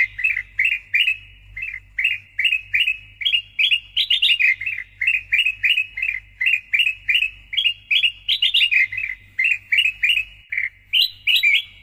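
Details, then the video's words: Sooty-headed bulbul (kutilang emas) in loud, persistent song meant as tutor and lure audio: long sequence of clear, bouncy whistled notes in quick pairs and triplets, occasionally rising higher, with a soft low hum throughout. "PANCINGAN & MASTERAN KUTILANG EMAS GACOR SUARA NYARING"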